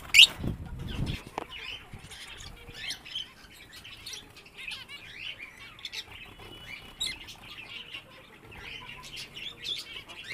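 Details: Pet budgerigars (Melopsittacus undulatus) warble in a busy stream of chirps, squeaks and chattering notes, with a flutter of wings at the start.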